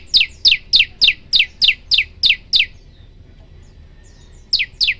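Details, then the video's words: Prinia song: a run of eight sharp, descending high chirps spaced about a quarter second apart, a pause of nearly two seconds, then two more chirps. "tembakan 40 detik sekali napas masteran prenjak lumut"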